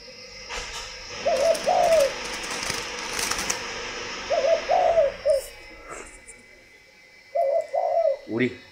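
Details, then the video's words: Spotted dove, a kept bird, giving three short low cooing phrases of two to three notes each, spaced about three seconds apart, over a noisy indoor background with clicks and a brief rustle at the end. "ĐÂY MỚI LÀ CHIM CU GÁY"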